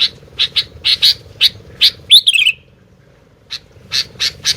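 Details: Sooty-headed bulbul singing without pause: a run of clipped, bright notes, one slurred, descending flourish, a brief silence, then more evenly spaced chips over a low background hum.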